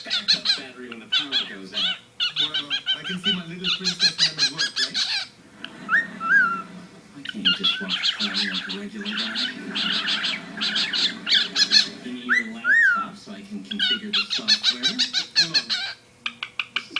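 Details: A male cockatiel, about one year old, sitting with its owner outside the cage, chatters in rapid scratchy bursts, broken by a few clear, rising-and-falling whistles.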